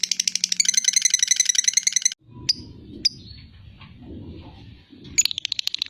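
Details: Fighter lovebird's ngekek: roughly two seconds of fast, high chattering trill, followed by low rumbling background noise with a few scattered sharp chirps and a brief return of the trill at the end.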